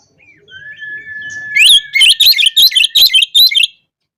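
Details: Oriental magpie-robin calling out opponents: a rising whistle held steady, then a loud rapid series of about seven piercing, chirping, up-sweeping notes before silence.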